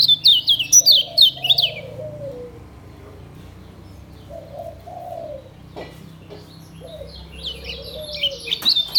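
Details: White-eye (kecial kuning Lombok), a cage bird, delivering ngejos song: a loud burst of rapid high twittering notes, a pause filled by low mellow cooing whistles, then the high twitter resumes at the end.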